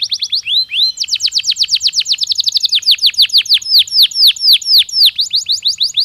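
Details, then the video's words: Canary giving natural song to prepare birds for mating: continuous high trilling of quick downslurred whistles, changing speed and pitch from phrase to phrase, with no other sounds. "تغريد كناري طبيعي"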